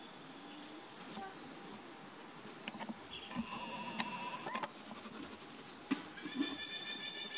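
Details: Takahe (Porphyrio hochstetteri) on 25 December 2015 gives a few nasal, bleating notes, one drawn out and steady, another rougher near the end, over faint rustling and background noise.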